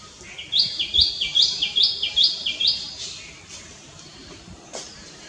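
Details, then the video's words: Common myna, also called Indian myna, giving a series of about six loud, bright two-part notes, each a rising whistle stepping up to a sharp high peak, repeated roughly every half second, followed by quieter background chatter. "Common Myna Bird"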